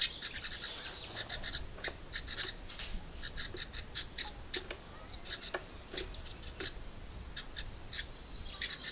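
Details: House wren nestlings in a birdbox begging as a parent brings food: rapid bursts of harsh, high chirping, repeated in quick clusters over steady background hiss.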